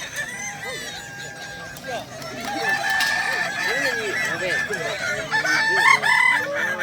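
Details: At a Kukuak Balenggek chicken contest in Danau Bawah, 6 October 2024, numerous roosters give long crows with repeated up-and-down syllables, layered over each other, with people chatting nearby.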